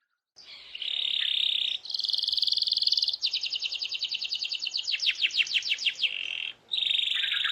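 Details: Canary song used to get other canaries singing: a steady buzzy note, then a long rapid trill that turns into repeated upward-sweeping notes, ending in another buzzy phrase.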